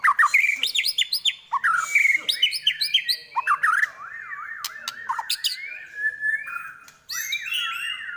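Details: White-rumped shama (murai batu) singing quick rising whistles and squawks, then a long rolling warble that wavers up and down, and bright chattering phrases at the end.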